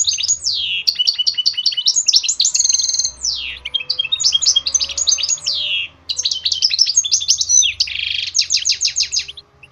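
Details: Goldfinch mule singing as training for songbirds: energetic, sustained twittering with rapid trills, downward-sweeping buzzes and tinkling high notes, broken by short pauses, over a faint low hum.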